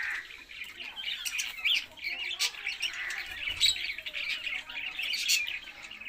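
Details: Budgies chattering together, a continuous mix of warbled twitters, squeaky notes and short sharp chirps overlapping from several birds.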